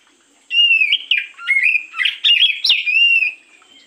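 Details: Oriental magpie-robin morning song played as a lure: a continuous, varied three-second phrase of loud whistles, short slurs and rapid pitch jumps, ending in a smooth sustained whistle that fades.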